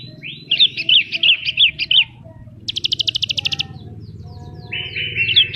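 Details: Gacor singing from a Horsfield's bush lark full of isian phrases: a fast jumble of varied twittering notes, a rapid high rattle lasting about a second, then a buzzy held tone over a steady low hum.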